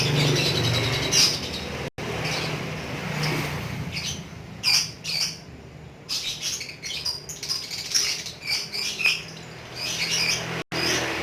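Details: Kept lovebird singing in the Indonesian 'ngekek' manner: sharp squawky bursts and fast shrill chatter come in uneven clusters separated by brief pauses, with a steady low hum underneath.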